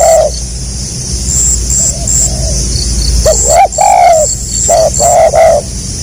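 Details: Spotted dove in tekukur gagap rapat selang nguku style, with short clipped coos and a longer drawn coo amid background noise and a steady high insect hum.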